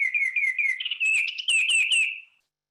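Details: Male Baltimore Oriole song: rich, clear whistled notes in short slurred phrases, speeding into a quick burst and ending after about two seconds.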